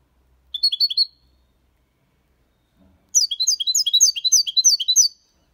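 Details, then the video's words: Young European goldfinch, six months old, singing clean copia Málaga song with colios and quejas: a brief twittering burst, a pause, then a longer run of fast, high, tinkling repeated notes. "Jilguero cantando Limpio 6 meses/ chardonneret chante la copia Malaga / Goldfinch singing"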